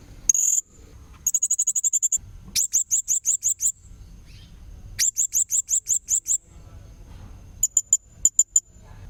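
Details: Kalimantan blue-crowned hanging parrot, recorded as a tutor for young magpie-robins: short series of thin, very high, sharp repeated notes in several bursts, with a low rumbling background between them.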